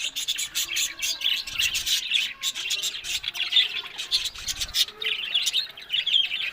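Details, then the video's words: Several budgerigars in a group keep up dense, continuous warbling chatter, full of fast chirps, clicks and scratchy twitters that rise and fall without pause. "Amazing Talking Happy Budgies Sounds"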